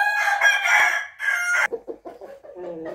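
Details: Rooster crow recorded 28 June 2021: a strained, raspy, drawn-out crow with a brief break, followed by a series of short, lower clucks and chattering notes.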